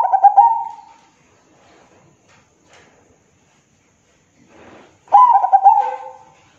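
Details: Perkutut, the zebra dove, with a loud, deep song. Two cooing phrases of rapid, rolling notes, each lasting about a second, are separated by soft scuffling noises.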